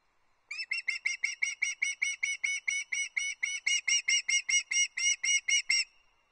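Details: Loch Arkaig juvenile osprey on the nest, late August 2022, fish calling before her father brings a brown trout; an even, rapid train of some twenty-five loud piping whistles lasting about five seconds.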